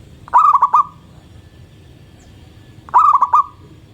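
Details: Local zebra dove singing energetically at dawn, two matching phrases of four fast rolling coos each ending in a steady drawn note, roughly two and a half seconds apart, over quiet low noise.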